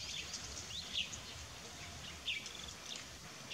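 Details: Plum-headed parakeet in Balaghat, Madhya Pradesh, India, gives three short, shrill, high notes about a second apart during courtship, over a steady hiss of outdoor background noise.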